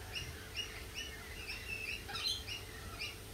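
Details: Lorikeet giving quick, bright chirps about every half second, with a brief harsher squeal near the end among the repeated notes, all above a low humming background.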